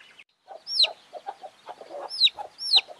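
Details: Chickens with chicks: soft low clucks repeat steadily while several sharp, high, downslurred chick peeps cut in three times over the clucking.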